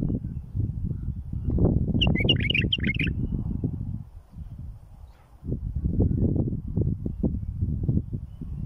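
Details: Bulbul song for tutoring young birds and fledging chicks: one brief phrase of fast, bubbling, chattering notes about two seconds in, partly masked by strong continuous low rumbling noise.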